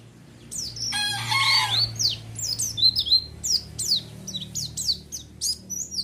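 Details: White-eye song used as a provoking lure. A harsh, raspy squawk near the start gives way to quick, sharp, high down-slurred chirps repeated several times a second, over a low hum.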